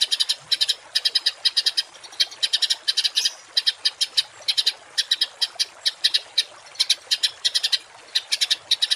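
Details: Songbird masteran in 'tembakan kasar' style for training cage birds. Short clusters of three to five rough, buzzy pulses repeat steadily, roughly twice a second, with small gaps between.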